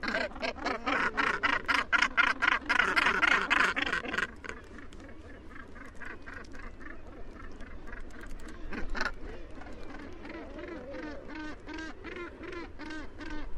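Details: Northern gannets at their nesting colony on Helgoland's steep coast, where they have bred since 1991; dense, harsh rasping calls repeated rapidly from many birds, loud for the first four seconds, then a softer continuous chorus.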